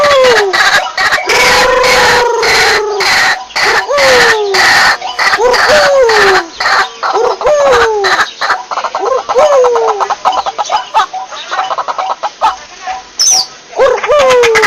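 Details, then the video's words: Lure recording of a white-breasted waterhen: fast loud harsh pulses interleaved with repeated falling whistled notes roughly every two seconds, then a stretch of quick rattling stutters. "SUARA BURUNG RUAK RUAK PIKAT"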